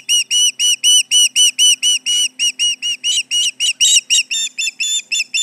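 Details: At the Charlo nest on July 29, 2019, 11:30am MDT, an osprey reacts to nearby intruders with an unbroken run of shrill whistled chirps, about two a second, some slightly slurred or doubled.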